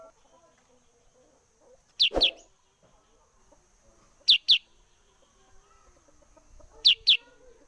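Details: Sooty-headed bulbul (Pycnonotus aurigaster) singing actively, offered as a lure call for trapping birds: high, sharp paired notes, each a quick double chirp, repeated about every two and a half seconds over a faint steady whine and one soft thump.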